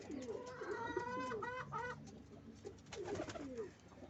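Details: A pigeon making a nest gives soft, low, rolling coos in quick runs, with a brief pause before another burst; a faint higher chatter sounds alongside.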